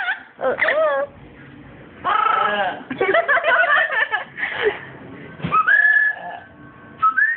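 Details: A parakeet that is being teased gives harsh, chattering squawks and wavering whistled notes in bursts, with human voices and whistling mixed in.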